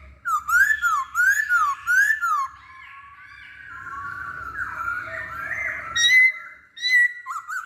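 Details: Masked laughingthrush song used as a lure to provoke other birds into singing: three loud, rolling whistled phrases that dip and rise, then a sustained, wavering harsh note and a few short squawky whistles near the end.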